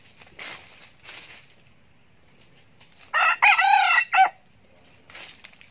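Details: Young male red junglefowl kept as a decoy bird, crowing eagerly: one loud, hoarse, harmonic-rich crow of about a second with stepped rising and falling phrases, between faint rustling and quiet background.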